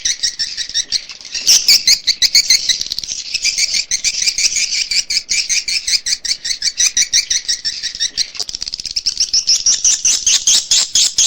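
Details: Swiftlet calling sound for nest houses, Kadita style: a continuous, busy chorus of high twittering chirps, densely overlapping, rising slightly in pitch toward the end.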